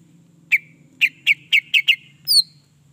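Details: Greater green leafbird sound meant to provoke other birds into singing: six short sharp chirps spaced about a quarter second apart, ending with a higher downslurred whistle, over a low steady hum.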